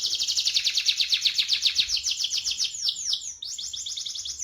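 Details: Canary singing in a rolling 'ngerol' style, used as a lure to get silent canaries singing: a rapid, high trill of fast repeated notes, then a run of sharply descending whistled sweeps in the final second and a half.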